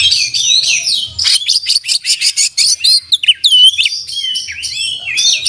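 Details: Oriental magpie-robin singing with open beak, song full of fill-ins and master phrases: a buzzy warbled opening, a fast burst of sharp repeated notes, then looping and hooked whistles, high and varied.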